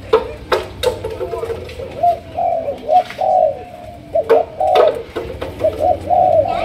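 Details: Malaysian spotted dove singing sấm đồng-style coos: low, husky, slurred notes in repeated phrases, interrupted by several sharp clicks or taps.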